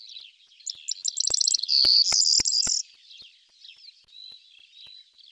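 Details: Corn bunting singing: a quick run of accelerating ticking notes leading into a bright, jingling, keys-like burst, then quiet, with soft warbling from other birds behind.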